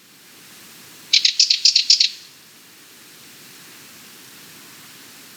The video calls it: Sardinian Warbler - Calls